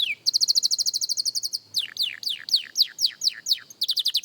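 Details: Young canary practising, opening with a fast even rattle of high chips, then a series of loud descending whistled sweeps and another quick rattle.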